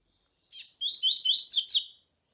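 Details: Double-collared seedeater singing the tui tui style of song, used with a female's call to excite the male: a brief buzzy note, a pause, then a quick run of rising slurred whistles ending in two strong, sharp downstrokes.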